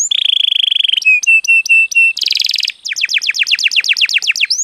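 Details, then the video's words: Canary song used to spur other birds: a steady buzzing trill, spaced sharp chip notes, a harsh burst, then rapid falling whistled notes repeated in a quick run. "suara burung kenari untuk pancingan agar gacor"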